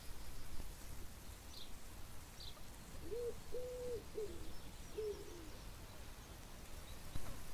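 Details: A Chukar partridge gives a brief burst of low, hooting notes, one drawn-out and level between shorter arched ones, then a final note, with faint high chirps and low background rumble.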